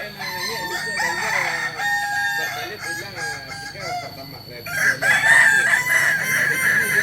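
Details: Native Kokok Balenggek rooster from Solok, West Sumatra, known for a tiered crow of three to nineteen or more levels; a rich, stepped crow with wavering segments, followed by a louder, brighter crow near the end.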